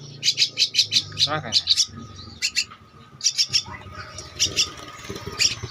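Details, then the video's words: Two-week-old Javan myna chick calling for food while fed: a fast string of high, grating chirps, a pause, then shorter bursts, with a low hum and brief human voice. "Anakan Burung Jalak Kebo-_Umur 2 minggu"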